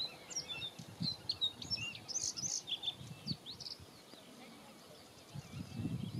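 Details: Singing male bluethroat of the subspecies cyanecula, at Ezumakeeg, Friesland, the Netherlands, on 14 May 2022. A quick run of varied high chirps, twitters and short whistled notes plays over low rumbling background noise.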